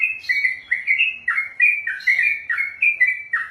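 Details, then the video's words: Contest-trained sooty-headed bulbul, a kept bird, singing rapid ropel: a dozen loud, warbled chirps packed closely, alternating higher and lower slurs, with brief sharp overtones on several notes. "ROPELAN BURUNG TRUCUKAN TERPANJANG DALAM SEJARAH"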